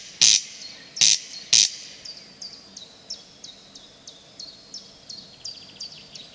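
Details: Corncrake (Crex crex) singing in spring: three loud, harsh rasping bursts in the first two seconds, then a run of thin, high chirps from another bird.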